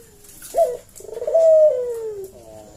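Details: Lively puter collared dove calling as a lure to provoke a reply: a short clipped coo, a brief pause, then a long stuttering-onset coo that rises slightly and slowly slides downward, ending in a soft trailing note.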